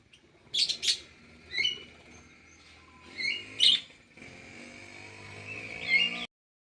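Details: Kidangan kaso kaso in an Indonesian conservation aviary, singing short bright chirped phrases roughly every second or two. A steady mechanical hum comes in during the second half.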